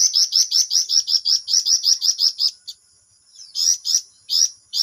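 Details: Flamboyan in full gacor voice with a long ngerol roll: a run of rapid, piercing high chirps, a brief pause, then more spaced notes resuming near the end.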